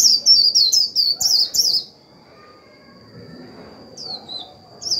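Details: White-eye decoy bird in 'líu' song used to excite other birds: a quick series of bright, high, downward-slurred chirps for nearly two seconds, then near silence with a thin continuous tone, ending in fresh chirps.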